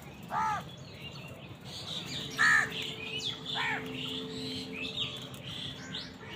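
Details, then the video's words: Crows squabbling with wild birds over food give several short, harsh, ragged caws spread through the stretch, one louder than the rest, over a constant noisy background. "Crow bird crowing sound | Crows fight with wild birds for food"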